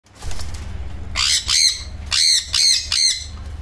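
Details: Semi-adult captive sun conures give harsh, grating screeches in quick bursts of about half a second each.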